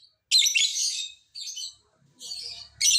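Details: Lovebird chatter used to prompt lazy lovebirds to answer: long, dense, shrill rasping bursts, the first nearly a second long, followed by shorter harsh bursts with brief pauses, faint low hum between them.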